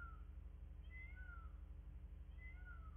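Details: Nest-camera recording of bald eagles in Miami-Dade County, Florida, 9 February 2024, 09:34: thin, high whistled notes in two short bursts, each note gliding down in pitch, above a constant low electrical hum.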